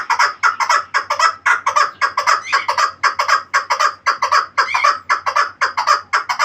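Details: Pamir kabk, a chukar partridge, giving a sustained run of coarse clucking notes at roughly two per second, rhythmic and insistent, some notes slightly rougher and stronger, with a faint low hum underneath.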